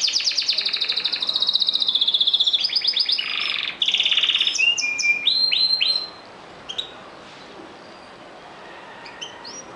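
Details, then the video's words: Canaries singing: rapid trilled rolls of bright whistled notes, fast repeated pulses and brief level tones over the first six seconds, then only sparse soft chirps against quiet background hiss. "كنارات تغرد"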